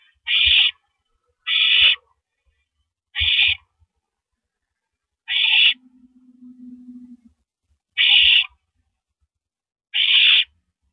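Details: Owl pair at the nest, night of April 9, 2012, as the male gives a rabbit to his mate; six rough, hissing bursts at irregular gaps, with a low steady hum between the fourth and fifth.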